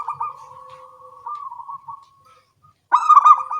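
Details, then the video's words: Local zebra dove song in the morning, birds answering each other: a long soft rolling coo fading out, brief silence, then a loud bright stuttering coo phrase from another bird. "Perkutut lokal suara kecil gacor pagi hari bersahutan"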